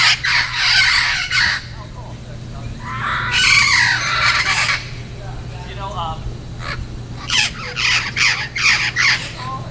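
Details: Wild parrots in Irvine Park in October 2016: bursts of harsh, raspy squawking calls in overlapping groups, separated by short pauses, over a steady low hum and some background chatter.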